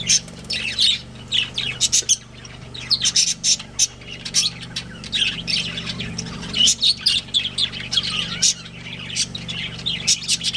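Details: Pet budgerigars of a breeding pair chattering: many brief high chirps and harsh squawks tumbling over each other in uneven clusters, a low constant hum in the background.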